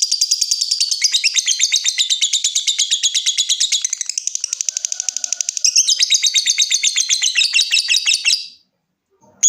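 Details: Sustained lovebird ngekek: a loud, fast, buzzy trill running almost unbroken for over eight seconds, briefly softening midway before ending abruptly.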